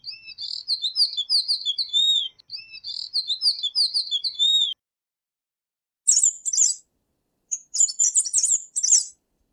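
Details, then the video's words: Tanager from Latin America: two repeated phrases of quick, bright whistled warbling, each about two seconds long, followed after a gap by two short bursts of very high, scratchy twittering. "SONIDO DE LAS TANGARAS"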